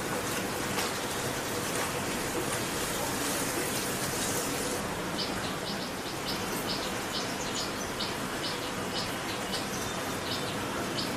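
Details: A common tailorbird (Orthotomus sutorius), resident in a backyard in West Bengal, India, hopping about, repeats short, sharp, high chipping notes about twice a second in the second half, over a steady hiss.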